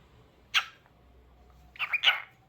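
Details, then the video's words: Cockatiel kept as a pet in a small room: one brief bright chirp, then a rapid cluster of three short chirps with clear ringing overtones. "Adorable Cockatiel Cute Singing Sounds"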